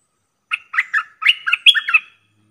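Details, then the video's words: Streak-eared bulbul call used as a trapping lure: a quick run of about seven bright, slurred chirps over one and a half seconds, the notes rising and falling, with silence around them. "Suara pikat merbah lekir"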